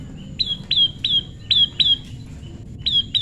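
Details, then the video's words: Prinia calling during pairing in the wild: loud, clear, slightly falling notes repeated about every third of a second in a steady series, a short gap, then two more, with faint low background noise. "prenjak lumut jodohan alam"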